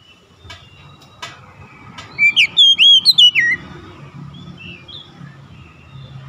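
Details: Oriental magpie-robin, song meant as therapy to restore a stressed bird: faint clicks, then one loud phrase of rapid whistled notes sliding up and down, followed by soft distant twittering.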